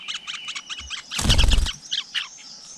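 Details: Flowerpecker at its nest with a brood of chicks, filmed close up outdoors in nature; quick series of high, thin chirps in rhythmic bursts, broken midway by a loud rustling thump, then more scattered chirps.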